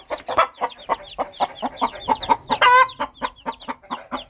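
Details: Mother hen calling her baby chicks in the countryside: soft, rhythmic low clucks repeated several times a second, with thin high chick peeps above and one louder harsh squawk near the end.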